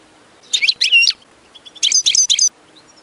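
A goldfinch sings two quick bursts of high, tinkling, twittering notes, each about half a second long, separated by a short pause. No other sounds are heard.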